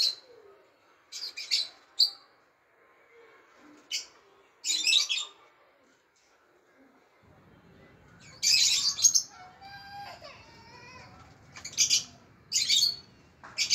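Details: A red-vented bulbul gives harsh, scratchy bursts of calling in short clusters as a white Persian cat climbs the tree to attack it.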